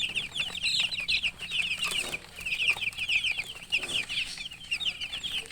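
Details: Chickens chirping, a murgi hen with colour chicks: dense, continuous high peeps, each a quick falling slur, in rapid overlapping runs almost without pause, with a faint rustle in the background.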